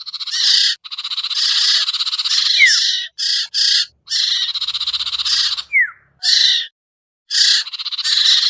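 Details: Sirtu, a hard-to-lure bird: nearly continuous harsh buzzy chatter in rough pulses, broken by two sharp downward-slurred whistles and brief pauses.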